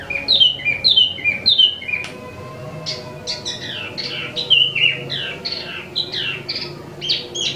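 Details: Wambi mini (Tieu Mi), an imported cage bird in lively song: three repeated whistled motifs, then rapid varied chirps, slurred whistles and short trills in a steady stream.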